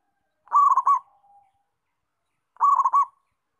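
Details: Local zebra dove in lively song, giving two rolling cooing phrases about two seconds apart. A faint, drawn-out low note trails after the first phrase.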